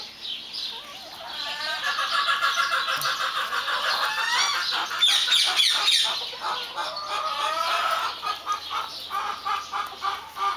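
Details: Several white Silkie chickens make rough, harmonic, honking calls in quick succession, repeated about three times a second, with overlapping voices and a loud burst midway.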